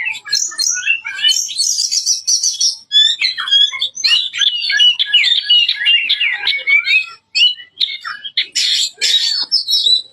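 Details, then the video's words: Oriental magpie-robin in full, loud song: a fast stream of varied sharp whistles, rapid trills and slurred notes, some high and metallic, in dense bursts separated by brief pauses. "Suara Burung Kacer Gacor Full Tembakan Keras"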